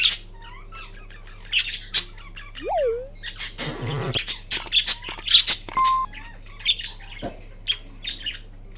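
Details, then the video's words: Green pet Indian ringneck parrot making assorted sounds while napping: scattered high squeaky chirps and short squawks, one swooping whistled note rising then dropping, a brief low rushing noise midway, and sharp clicks. "Indian Ringneck Parrot Making Different Sounds While Napping"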